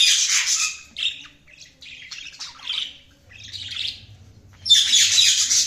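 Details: Budgerigars chirping: bursts of rapid high twittering and warbling notes, several overlapping, with short pauses between phrases, in a quiet setting.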